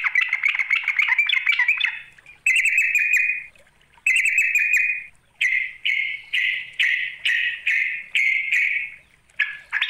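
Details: Sooty-headed bulbul calling to draw out a rival: loud, harsh chattering phrases in rapid bursts, first a long run of rattled notes, then a string of short scratchy calls about every half second, with no other sounds.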